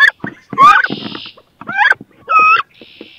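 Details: Wood duck hens squabbling in a nest box over a laying site: a few loud squealing whistles, one rising sharply and one flat and drawn out, separated by a rough hiss and brief silence.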